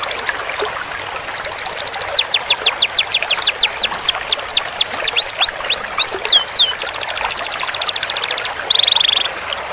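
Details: Canary long-roll training song: a rapid buzzing trill gives way to a series of repeated swooping slurred notes, then a high fast rattle and a short steady whistle.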